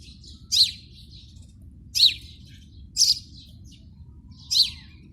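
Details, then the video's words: Four bright, short chirps from a house sparrow at a PVC pipe nest, spaced about a second apart, over a constant low-pitched background hum. "HOUSE SPARROW SOUND EFFECTS"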